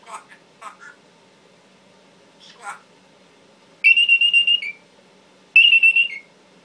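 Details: Captive Timneh African grey parrot, a talking male pet, mutters a few brief speech-like syllables, then gives two loud, shrill, pulsing whistles, each lasting under a second with a dip at the end.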